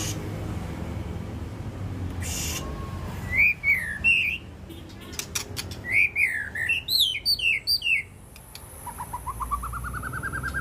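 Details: White-rumped shama, a champion bird at the SMBF Ladong singing contest, gives quick bursts of bright, twisting whistled notes, loudest in the middle, then a rising run of short repeated notes at the end over low background hum.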